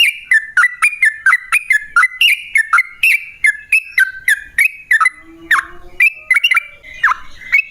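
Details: Yellow-vented bulbul in long continuous song, used as a lure to make other bulbuls sing back: rapid series of bright whistled notes, each dropping or jumping in pitch, fast and steady for nearly eight seconds, with one lower drawn-out note near the end.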